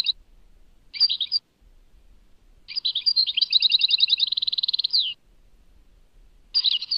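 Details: Goldfinch song recorded at Tadmait: brief twittering bursts separated by silences, then a longer phrase ending in a fast even trill of repeated notes and a falling slur.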